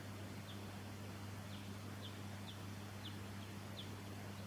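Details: Silvereye of subspecies pinarochrous, recorded in Victoria, Australia, December 2017: faint, short, high downslurred notes repeated about every half second over a steady low hum.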